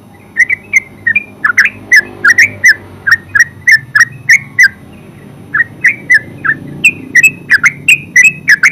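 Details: Steady bubbling song of a yellow-vented bulbul, or terucuk, with about three notes a second in an almost unbroken chattering stream, a short lull midway, then resuming.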